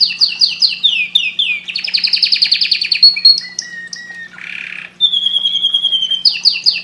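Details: Canary song meant to stimulate breeding, made of descending whistled slurs and a long fast trill, then clear pure whistles and a short buzzy burst, before the slurred phrases return. A low hum continues throughout.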